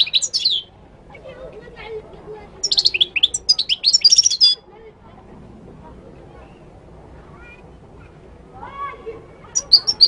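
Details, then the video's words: Singing Moroccan goldfinch delivering fast, jangling twittered phrases with buzzy and tinkling notes, a long rich burst midway, then quiet with faint softer chirps before another high phrase at the end. "تغريد الحسون المغربي chant de chardonneret marocain"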